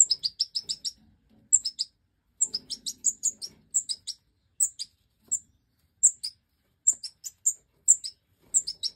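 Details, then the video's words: Aviary-bred Goldfinch Major fledglings, five of them, being fed by their mother after jumping from the nest, calling in short bursts of thin, very high cheeps repeated over and over. "Breeding Goldfinch Major The Hen diligently feeds the last five Chicks 🐥 that have jumped out of the"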